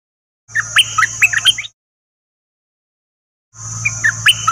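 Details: Bird song used to teach young birds and rouse them: two short bursts of varied chirps and whistles separated by silence, with a steady high hiss and a low hum during each burst.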